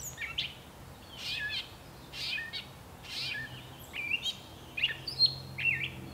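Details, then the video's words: Gray catbird singing, a bird of the bush: a jumbled run of varied squeaky, scratchy and buzzy phrases in short bursts roughly every second, some notes sliding upward, over a faint low background rumble. "Gray Catbird Singing"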